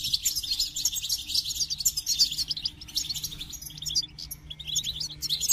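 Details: Busy goldfinch song of fast, high, chattering twitters and tinkling trills, running almost unbroken and thinning briefly near the end.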